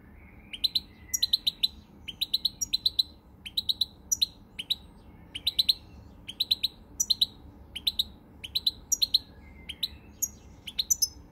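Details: European goldfinch, pied form, recorded 20 March 2020, delivering a long run of clustered sharp tinkling chirps, grouped in threes and fours, repeated steadily with brief gaps, plus occasional thin drawn notes.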